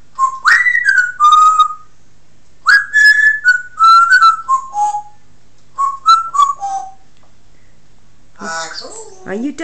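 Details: Pet talking African grey parrot giving loud whistled phrases: clear tonal notes that slide and waver, in three bursts separated by short pauses, followed by a rougher, harmonic speech-like sound at the end, with a person talking nearby.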